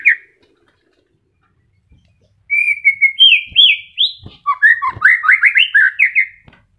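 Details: Caged White-rumped shama (murai batu) newly moulting, starting to regrow feathers, singing: a clear whistled phrase, then a rapid run of rich rising and falling notes, fast and varied, ending abruptly; faint clicks behind.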